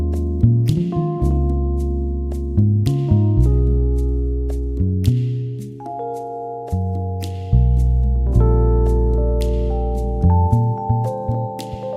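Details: Mellow keyboard music with sustained low chords and soft bell-like tones; no animal voice is heard.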